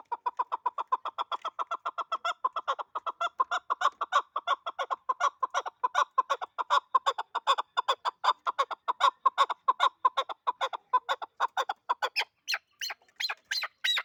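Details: Hunting partridge of the Dulangi hybrid chukar kind, delivering a long, driving string of rhythmic chuck-chuck notes. Toward the end they break into sharper, higher scattered calls.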